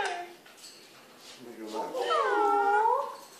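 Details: A female Indian ringneck parakeet kept as a pet answers a person in a small room with a drawn-out voiced phrase that bends upward, then arcs and falls, after softer human speech.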